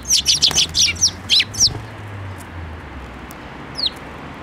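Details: Sparrows flying onto a hand to be fed at a Tenmangu shrine, 7 May 2024: a quick run of about nine sharp, high chirps in the first two seconds, then quiet with one last thin chirp; low hum beneath.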